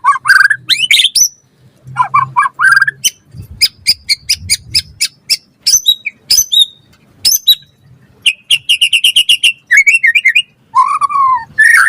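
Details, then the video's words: White-rumped shama, caged, used as a training tutor for songbirds, giving a varied song of sharp repeated chips, high whistled notes and trills, ending on a lower slurred whistle; faint low hum in background. "Pancingan Murai Batu Gacor Auto NYAUT cepat Bunyi buat Masteran Burung Murai agar Gacor Full Isian"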